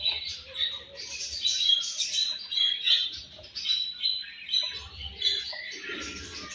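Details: Captive home-bred budgerigar baby giving continuous twittering chatter of quick high chirps and scratchy squeaks, swelling in loud pulses roughly every half second, with a low background hum at times.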